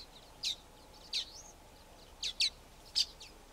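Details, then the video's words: Contact calls from a flock of common waxbills: five short, sharp high chirps, irregularly spaced and roughly half a second to a second apart, with one thin upward-sweeping note, over a quiet background. "Common Waxbill calls and song"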